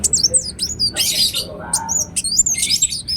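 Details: Ruby-cheeked sunbird (kolibri wulung) in lively gacor song used as a lure: thin, high, squeaky notes sliding up and down in quick bursts, with a few harsher buzzy bursts between them.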